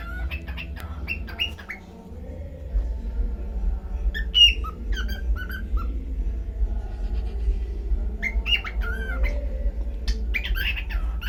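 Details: Pet cockatiel talking: scattered bursts of short whistled and squawky syllables, some rising and falling, in three clusters separated by quiet gaps, over a constant low hum.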